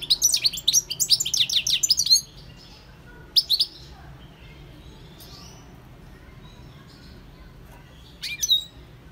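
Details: European goldfinch song opening with a two-second run of fast, tinkling twitters, followed by a few isolated sharp chirps spread across a mostly quiet stretch.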